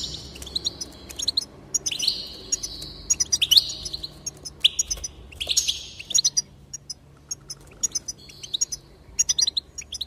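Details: Goldfinch song played to stir other goldfinches into singing: bright twittering runs mixed with drawn-out, slightly nasal notes and sharp ticks, in several bursts with short pauses. A low hum sits underneath.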